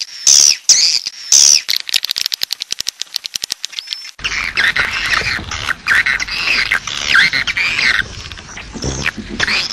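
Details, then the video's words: Grey-breasted prinia calling as a lure for wild birds: a few loud high chirps, then a fast run of clicking ticks, followed by a busy, scratchy chatter of mixed notes. "Suara Ampuh Memanggil Burung Waler Liar"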